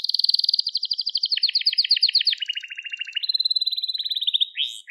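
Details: Unbroken crested Gloster canary song: a high rapid trill slides into lower pulsed rattles, then climbs back to a fast, bright, chattering run and a closing whistle. Intended to train young canaries in singing.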